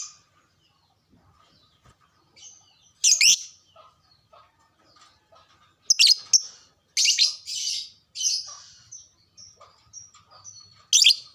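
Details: Lovebird sound played to excite caged lovebirds and get them singing often: scattered shrill screeches and buzzy high chirps arriving in irregular clusters, separated by short quiet stretches and soft twitters.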